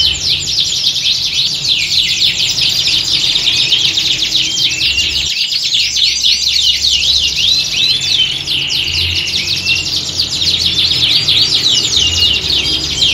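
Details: Canaries singing as a squad, recorded to mimic a singing-contest ground and toughen birds for competition; a steady wall of fast, high trills and chirps with sweeping whistled notes, a brief lull near the middle, low rumble beneath.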